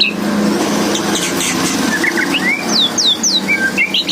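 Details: White-rumped shama (murai batu) singing actively, gacor style: bright whistled notes and quick slurred sweeps, several sharply falling, delivered in a lively run over a low background hum with traffic.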